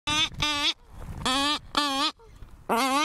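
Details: Cory's shearwater at a breeding colony, raucous nasal calls: loud harmonic wailing notes around half a second long, separated by short rasping intakes of breath, repeating in bursts.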